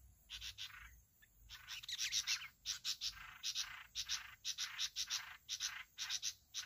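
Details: Sooty-headed bulbul in Bình Thuận disputing territory and a roosting place: bursts of rasping, noisy chatter repeated roughly twice a second, with brief gaps between groups and a faint constant high-pitched hiss.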